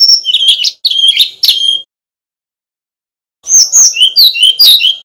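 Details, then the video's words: A male Brown-chested Jungle Flycatcher from Bali sings a high, sweet warbling song: two bursts of quick, varied whistled notes with a pause between, clear and close. "Kicau Burung Sikatan Rimba Dada Coklat (SRDC) Bali Jantan Nyuling Gacor Isian Keluar"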